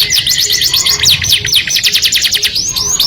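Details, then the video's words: Singing canary, its melodious song attracting the opposite sex, produces a dense run of rapid zigzag notes sweeping up and down, closing on a clear high whistle. "o som melodioso de um canário atrai o sexo oposto junto com o som"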